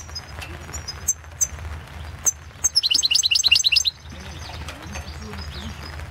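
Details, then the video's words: European goldfinch recorded for the 2016 internet-held World Championship in Goldfinch Song. Scattered high ticks lead into a quick, even burst of about ten liquid, twittering double notes, then low background rustle. "Pesma štiglića"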